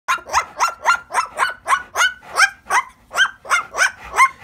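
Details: A pet umbrella cockatoo barks at a Rottweiler dog, giving a rapid run of about sixteen harsh, dog-like barks, three or four a second, each a rough mid-pitched yap.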